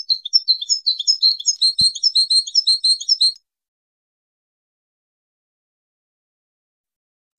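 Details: A goldfinch sings a bright, fast twitter of high chirps and warbled notes for about three seconds, followed by a long silence and a brief final chirp. The recording is used to train birds and encourage mating.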